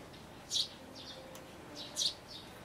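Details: Young sparrows near fledging inside a birdhouse, recorded 12 May 2012: two loud, high, thin chirps about one and a half seconds apart, with a few softer chirps around them.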